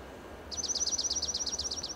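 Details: Perched on a dead Monterey pine trunk in California's Del Monte Forest, a Dark-eyed junco delivers a rapid, even trill of about twelve high repeated notes, ringing steadily to the end against quiet ambient noise.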